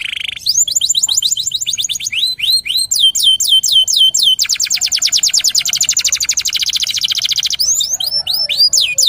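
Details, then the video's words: Local Indonesian canary in full song, used as a lure recording for training other birds: fast rolling trills of rapid high notes alternating with series of downward-sweeping whistled slurs, continuous and loud throughout. "PANCINGAN KENARI LOKAL GACOR"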